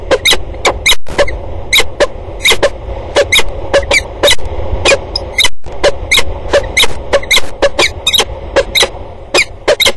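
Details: Peregrine falcons at a water tower in a long exchange of calls, recorded 2 October 2019: rapid sharp harsh notes repeated several times a second in irregular bursts, over a low background rumble.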